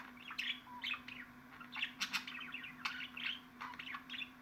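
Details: Several budgies chatter in a recording meant to excite pet parakeets: fast warbled chirps and scratchy squeaks crowding together, punctuated by crisp clicks, over a low hum.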